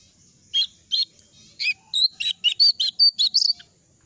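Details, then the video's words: Jongkangan bird in moult and losing feathers, its voice hoarse and unable to sing fully. It gives about a dozen short, harsh, clipped chirps in rapid, irregular succession over three seconds, with a quiet background. "suara burung jongkangan dalam ke adaan mabung rontok bulu"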